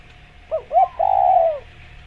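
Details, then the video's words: Spotted dove, known locally as tekukur, giving a short cooing phrase: two brief hollow notes followed by a longer drawn-out coo that slowly falls in pitch, over a faint steady hum. "Masteran Tekukur Biar Cepat Bunyi | Natural Jungle Dove Sound Effect"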